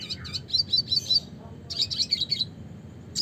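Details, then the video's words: Two quick phrases of high, bright twittered notes from a red siskin (Spinus cucullatus) in classic song, split by a short pause. "suara kicauan burung red siskin klasik gacor (spinus cucullatus)"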